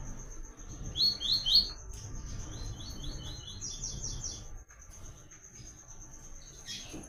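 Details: Double-collared seedeater singing the "Tui Tui" pattern, a clean, cadenced song used to train other birds, Caatinga. Three loud, high, downslurred notes open, followed by quieter repeated note groups, then near silence with a steady high tone.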